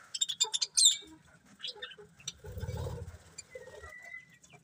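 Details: Several colourful pet budgies chirping: a quick run of sharp high chirps at the start, then softer scattered tweets, a low rustling burst and a thin steady whistle near the end.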